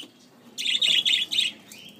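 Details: Budgerigar; begging call; chick begging for food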